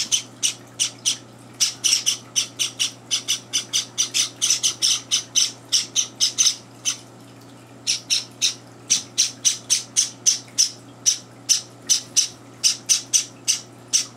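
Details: Java sparrow chicks, three days in their new home, begging at feeding time indoors while two older birds barge in; rapid harsh high chirps in bursts, pausing around seven seconds, then resuming steadily, with a low room hum.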